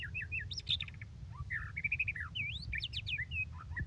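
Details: White-rumped shama in rich, rapid song: looping whistles, bright chirps and quick upward slurs follow one another without pause above a low hum.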